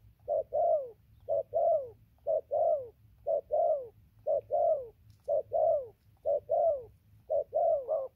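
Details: A newly caught spotted dove gives continuous coos, 15/11/2020: very regular doublets of low, rounded notes, the second slightly longer and falling, about one pair each second.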